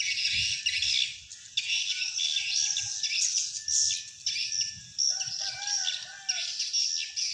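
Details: Playback of swiftlet calls used to lure wild swiftlets into a swiftlet house; a steady wash of high chirping twitters, with a lower wavering whistle near the end.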